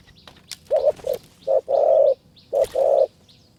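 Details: Spotted dove cooing during a decoy-bird trapping session in high mountain forest in Kanchanaburi, Thailand; low mellow coos, a few short notes then a longer drawn coo, somewhat rough and uneven, with faint background clicks and scattered sounds.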